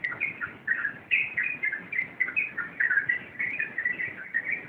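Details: Yellow-vented bulbul singing rompelan: a lively sequence of rapid, clear chirps and downslurred warbles in short repeated bursts, closely packed and steady.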